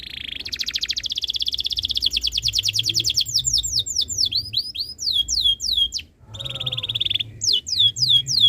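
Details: Canary singing a tutor song meant to make other canaries join in. A long, rapid, even trill leads into a string of bright, descending whistled slurs, then a lower steady trill and more slurs after a short break.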